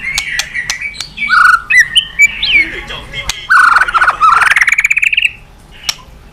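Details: White-rumped shama song meant to stir other birds into singing: clear whistled notes and slurs, then a long rapid trill rising in pitch that ends abruptly, followed by near quiet.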